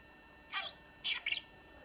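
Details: Short, high, scratchy chirps from a pet talking budgerigar, indoors: one note, a pause, then a quick doubled pair.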